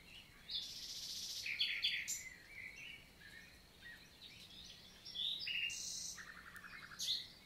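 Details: Common nightingale singing on a summer morning, 11 June 2023, in countryside forest of La Vallée du Célé, Lot, southern France; scattered high phrases of buzzy bursts, chirps and a closing rapid rattle, faint background birds.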